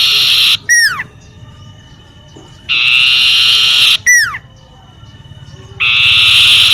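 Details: Common iora heard in a home garden, alternating steeply down-slurred whistled notes with long rasping buzzes, about every three seconds. The whistle and buzz pair comes twice, over quiet background.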